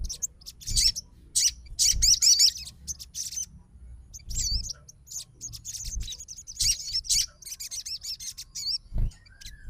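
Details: Crimson Sunbird of fighter type reacting to a rival sogon's song, giving broken bursts of shrill, rapid twitters separated by short pauses, with low background rumble.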